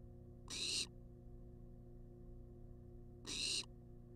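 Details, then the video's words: Barn owl in a wild research nest box demanding food: two rasping, hissy screeches nearly three seconds apart, separated by quiet hum-filled pauses. "Watch As This Enchanting Barn Owl Demands Food For 14 Minutes Straight On Live Cam!"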